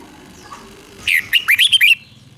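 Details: Red-whiskered bulbul, southern master-style song from Thailand used to excite caged birds: a single crisp burst of about six rapid, rising and falling whistled notes after a quiet start.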